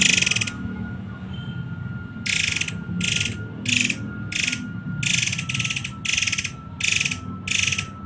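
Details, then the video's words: Masteran song of a Muray Air, 'tembakan rapat' style: after a short pause, dense buzzy rattles come in a fast run of about nine bursts, each roughly half a second, with a thin constant tone running underneath. "SUARA MASTERAN BURUNG MURAY AIR TEMBAKAN RAPAT"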